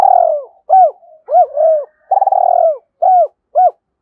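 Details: Decoy spotted dove cooing at dawn to draw in wild birds: continuous phrase of arched coos and two long rolling purred notes, ending in evenly spaced single coos.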